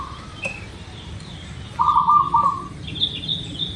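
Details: Local zebra dove heard as a lure to start birds singing. One rolling, trilled coo phrase sounds midway. Higher chirping notes from another bird come before and after it, over a soft, steady background noise.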